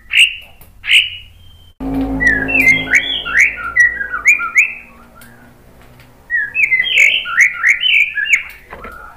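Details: White-rumped shama singing to provoke other birds: two loud whistles, then tumbling series of short slurred whistled notes in two bursts, with a faint background hum.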